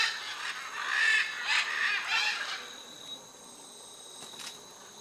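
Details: Wild macaws, including blue-and-yellow, red-and-green and scarlet, at the Chuncho clay lick on the Tambopata River in Tambopata National Reserve, Peru; a chorus of harsh, raspy squawks overlapping for three seconds, then fading to a distant hiss.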